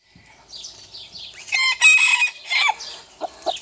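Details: Rooster crowing, one of several breeds: short harmonic bursts of a crow break in after faint high chirping, loudest in the middle, with a few lower clucks near the end.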